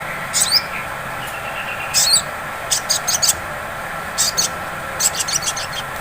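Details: Sunbird, locally sogon, in a ngleper-style lure recording used to provoke singing: short bursts of very high, rapid chips, with a brief thin whistle near the start, over a steady low hum.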